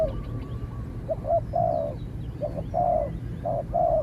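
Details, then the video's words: Spotted dove coos during a contest between a decoy bird in training and a cautious wild dove; a pause, then paired short coos followed by longer slurred notes, over a low rumbling background. "เสียงนกเขาใหญ่ ต่อ นกเขาใหญ่"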